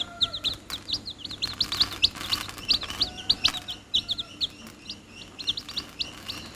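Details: Chicks peeping close by: a steady run of thin, high, slightly falling cheeps, several each second, over a hissy background with scattered clicks and taps.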